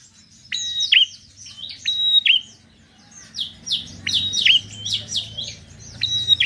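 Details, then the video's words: Energetic prenjak (Bar-winged prinia) song of repeated shrill whistles that each kink downward, crowded with rapid chirps. Steady low background noise runs beneath. "Prenjak gacor penarik burung malas bunyi"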